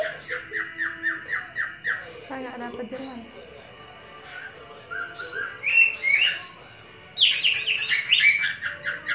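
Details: Captive male cockatiel whistling at a female he courts, a run of quick upswept notes, a muddled pause, then louder sharper rising whistles near the end.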